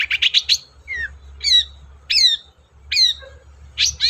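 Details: Long-tailed shrike lure song: a rapid run of scratchy notes, then sharply down-slurred whistles repeated roughly every three-quarters of a second, ending with another scratchy burst; low steady hum in the background.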